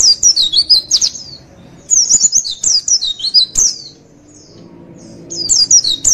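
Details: Javan white-eye song used as a tutor and lure recording for training competition birds: bursts of rapid, high twittered chirps with sweeping slurred notes, three flurries separated by short pauses.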